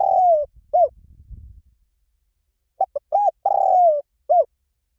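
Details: Spotted dove, a recording meant to lure and train birds to answer, liu tan style: a long downward-sliding coo and an arched note, a pause, then a fresh phrase of clipped notes, rounded hoot, long falling coo and closing note.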